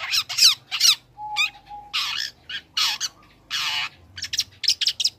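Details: Young long-tailed shrike singing actively while learning song material, used to provoke other shrikes: harsh broadband rasps alternate with quick chirpy notes and short buzzy bursts, with a faint steady whistle in the background.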